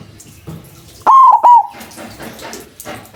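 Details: White zebra dove with a big, loud voice, used as a lure to draw other doves into calling: one clipped cooing phrase of three stuttering notes near one pitch, the last drawn out, against a quiet background.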